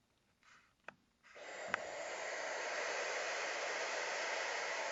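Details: A barn owl on 27 May 2012 gives a long, steady, breathy hiss that starts suddenly and runs on unbroken, after a soft breath and two faint clicks.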